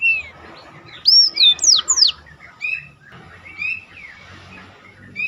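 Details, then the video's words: Black-throated canary song used as training material for contest birds: a burst of loud looping whistled slurs and falling sweeps mid-clip, surrounded by softer scattered notes. "biar kecil suaranya mahal roll istimewah || masteran jos untuk burung lomba."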